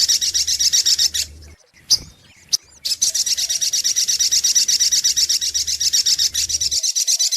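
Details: Sogok ontong sunbird lure recording: a fast high rattling trill, a gap with a few sharp single chirps, then a long unbroken run of rapid buzzy repeated notes. A faint low hum runs beneath most of it.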